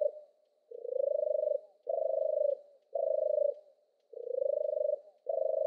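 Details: European turtle dove song: deep purring notes about half to one second long, some rising slightly at the start, repeated roughly once a second with short gaps, no other sounds.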